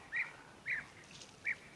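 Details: European bee-eaters calling near a waterhole in February, around a big tree with new greenery, give three short, liquid, whistled notes spaced irregularly over about two seconds, with faint low hiss behind.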